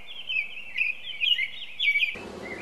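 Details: An American robin sings its "cheer-up, cheerio" song on a Saturday morning at Broadmeadow Brook Audubon sanctuary, Massachusetts: four short, rich, warbled phrases about half a second apart, then a weed trimmer's loud engine noise drowns it out.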